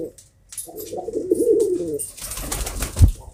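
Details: A domestic pigeon gives one low, rolling coo lasting over a second, followed by rustling and a dull thump.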